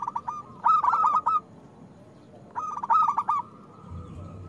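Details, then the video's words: Loud, actively singing local zebra dove used to coax reluctant doves into singing: two stuttered cooing phrases, each a quick burst of clipped notes ending in a rolled trill, spaced about two seconds apart. "Perkutut lokal gacor Suara Besar Pancingan Untuk Perkutut Susah Bunyi"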